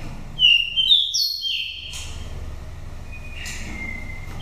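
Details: Wild-voiced oriental magpie-robin from Daklak, a bird of five seasons, singing a lure song used to stir other birds or trap them in the forest: a few loud, clear, whistled phrases, some sliding downward, with a low steady hum beneath.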